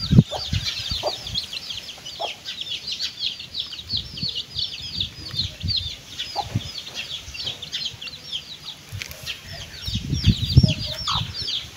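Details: Mother hen and chicks feeding: a steady stream of bright, repeated chick peeps, evenly spaced and overlapping, over low thumps and scuffing sounds from the ground.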